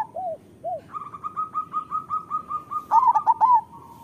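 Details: Local zebra dove recording for training doves: two soft curved coos, then a long even trill of repeated notes, ending in one loud rippling phrase of quick bent coos.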